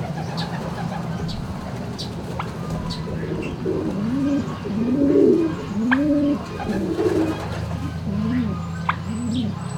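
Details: Turkeys in a barn, 26 March 2019 around midday, giving overlapping arched, rising-then-falling calls from about the fourth second on, with a steady low barn hum beneath and scattered faint clicks.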